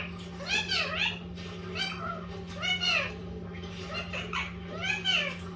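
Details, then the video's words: Pet Indian ringneck parakeet of a green-yellow mutation, described as very talkative, indoors: several arched, harmonic, speech-like phrases of about half a second, four main bursts in under six seconds, over a steady low electrical hum. "Beautiful Indian ring neck parrot talking"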